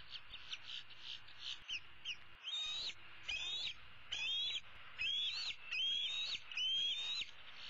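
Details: Older female bald eaglet of 2016, roosting in the tree, calls her parents for food with soft chips building into loud, piercing rising squeals repeated about once a second.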